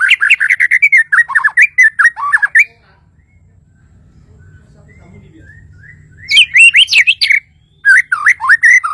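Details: Bornean white-rumped shama pours out rapid rolling whistled notes for nearly three seconds. After a quiet pause with faint low background murmur, it resumes with bright, bouncing, high phrases.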